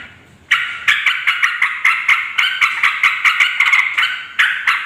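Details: Yellow-vented bulbul, noisy chattering calls used to attract wild bulbuls of both sexes; after a quiet half second, harsh buzzy bursts repeat rapidly in an unbroken run, each bursting sharply then fading, with a brief pause before a final louder pair.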